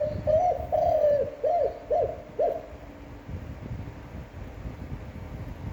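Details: Spotted dove cooing in a long, appealing standard voice, used to rouse newly caught doves; opens at once with two drawn-out hollow coos followed by three short rounded ones, then only low background rumble.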